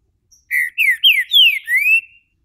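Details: Green-winged saltator kept in captivity in Brazil, warming up into its main song with a loud phrase of five rich whistles, the middle ones sweeping downward, the last rising, against silence.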